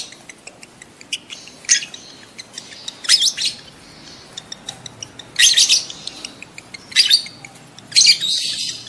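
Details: Lovebirds calling to stimulate adult birds to mate quickly: harsh, high chirps in short bursts every second or two, with faint rapid ticking notes between bursts.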